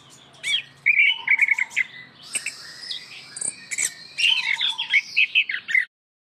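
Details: Chestnut-capped thrush (Geokichla interpres) song: a rich, varied string of sweet whistles, trills and scratchy notes in quick bursts, with a brief pause mid-phrase before a bright final flourish.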